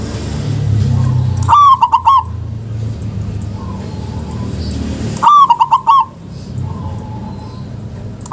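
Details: Local zebra dove, a lure to stir lazy doves into calling: two brisk, stuttering coo phrases nearly four seconds apart, with fainter distant coos and low rumbling background.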